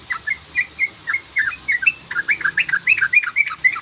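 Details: Sooty-headed bulbul lure call, described as rapid 'crukcruk'. Dense bright chirps repeat about three to four per second, each note rising or falling slightly, and they run almost without pause to the end.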